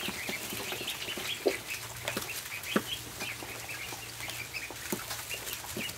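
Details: High, repeated peeps from a group of ducklings at barn feeding time, about one louder note every second or so, with sharp taps from pecking and a steady low hum.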